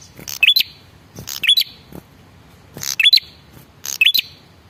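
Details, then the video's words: Four phrases from a male red-headed prinia's lure call, which is used to make other birds respond. Each phrase is a rough buzz leading into a piercing rising chirp. "suara pancingan burung prenjak kepala merah jantan"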